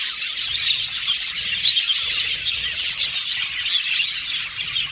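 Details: Budgerigars chirping happily: a busy, overlapping chatter of sharp twittering notes and scratchy warbles from many birds, never pausing, with a soft low rumble underneath.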